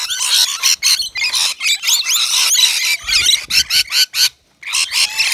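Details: Rainbow lorikeets feeding at a balcony nectar bowl of wet mix; rasping squawks and squeals in uneven bursts, slowing into separate short calls and a brief silence near the end.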